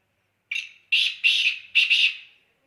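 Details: Harsh, grating call of a black francolin in a quiet setting: one brief scratchy note followed by two longer rasping pairs, a rhythmic one, two-two pattern that fades out at the end.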